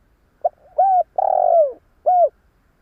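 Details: A spotted dove kept as a decoy to draw in wild doves gives one coo phrase: a tiny lead note, a smooth hooked coo, a long buzzy descending coo, then a short arched final note.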